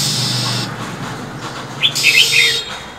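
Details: Female than songbird in freezing winter: a breathy hiss, then a burst of quick high twittering chirps overlapping another rasping hiss.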